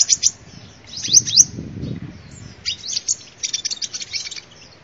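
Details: Sunbird song used as a lure: bursts of very high, thin twittering notes with short pauses, a lower rustling murmur in the middle.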